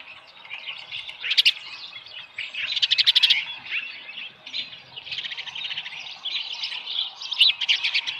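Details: Small live fish at a ranch osprey nest, 7:10 AM on 13 July 2018; the osprey gives high, grating chirp series in several surges, with softer whistled notes between them.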